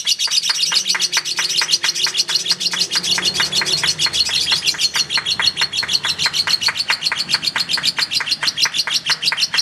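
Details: Lovebird contest chatter, the long ngekek: very rapid, regular high squeaks, over three per second, forming a steady buzzing trill for nearly ten seconds.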